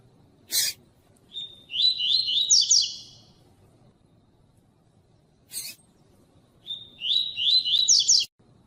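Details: Double-collared seedeater (coleiro tui tui) song, played to warm up and stimulate other captive birds to sing: two buzzy, twittering phrases, each starting on a steady whistle and breaking into rapid rising-falling notes, with sharp clicks before each phrase.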